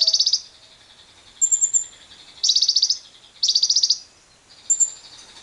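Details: Lovebird lure sound for prompting other lovebirds to give long ngekek trills, among wild birds: repeated bright, rapidly pulsed chatter bursts about half a second long, interspersed with short thin high whistles.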